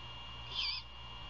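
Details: Great horned owl at a nest near Savannah, Georgia, at 1:38 AM on 27 February 2022, during a prey handover; a single short, rough hissing screech rising and fading within a quarter second, over a low steady hum.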